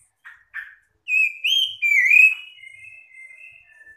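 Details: Magpie-robins answering one another to draw out silent birds: two short scratchy chips, then loud whistled slurs rising and falling, trailing into softer steady whistles.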